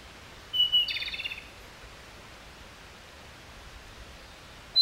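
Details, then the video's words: Japanese robin subsong: a single short phrase opening with a thin high whistle, then a quick rattling trill lasting under a second, over a quiet background hiss. "コマドリのさえずり（ぐぜり）Japanese robin Erithacus akahige song"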